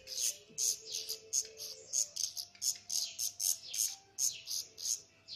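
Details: Black redstarts, mother and father feeding their chicks: a rapid series of very high, thin chirps, about three per second, each a short bright burst, continuing steadily over a faint low hum.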